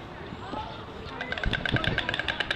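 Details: At Lincoln Park Zoo in Chicago, Illinois, a European white stork in courtship display bill-clatters: a fast, hollow wooden rattle of about ten clacks a second, starting midway. Faint traffic and voices sound in the background.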